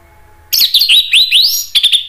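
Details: Orange-headed thrush from Indonesia, song meant to provoke other thrushes to answer: a loud, rapid, tumbling run of rising and falling whistled slurs, ending with a few short clipped notes.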